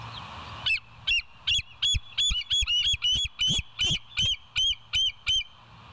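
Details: Early-morning bald eagle calling at the West End nest, 7 July 2023, from a live nature cam: a rapid, insistent string of squealing, high-pitched piping notes, some overlapping, close and loud.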